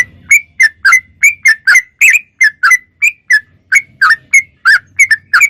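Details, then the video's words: Persistent sooty-headed bulbul song of quick, clean whistled notes repeated at a brisk, slightly uneven pace, with a faint low hum in the background. "Suara Trucuk Gacor Super Jernih"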